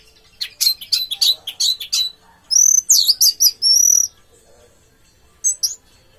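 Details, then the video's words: Caged orange-headed thrush singing a burst of rapid, high chirps, then loud, sweeping whistled phrases. After a short pause, two final sharp notes follow. "Anis merah tak sesuai harapan, bodi bagus tapi teler ngaceng"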